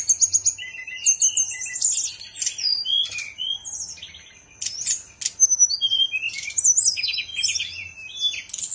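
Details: Bali pet bird singing a lively, continuous medley of high twitters, quick repeated notes, buzzy rasps and sweeping whistles, varied throughout, a faint hum in the background.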